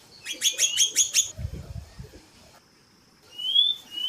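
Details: Female white-bellied seedeater calling, with a male singing in the background: a quick run of six sharp, ringing chirps, then a pause and a clear rising whistle. A faint steady high tone runs underneath.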